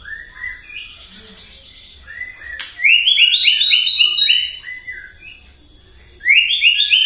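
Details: White-rumped shama singing in the morning to provoke other birds: soft notes, a click, then a loud rolling run of rapid stepped whistles, and a fresh burst near the end.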